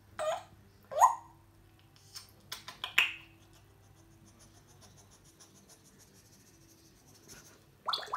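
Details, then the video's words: A talking grey parrot (jaco) chatters in a few short, speech-like bursts, some rising in pitch, separated by quiet gaps over a low steady hum. "Говорящий попугай жако"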